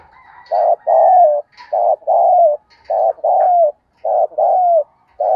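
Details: Spotted dove cooing in a recording meant to spur a newly caught wild dove into cooing quickly. Low hooting phrases, each a short note followed by a longer slurred one, repeat steadily about once a second. Faint chirps come from other birds.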